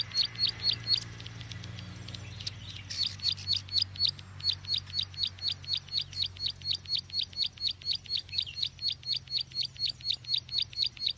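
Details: Lure call of a bar-winged prinia for trappers: repeated piercing chirps near two per second, briefly broken early on, then steady to the end, with low background rumble.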